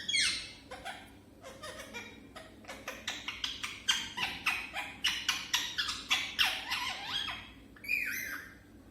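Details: A parrot beginning to talk for the first time chatters in a rapid run of short, raspy, broadband syllables, about three or four per second, building in loudness and then ending with a longer squawk.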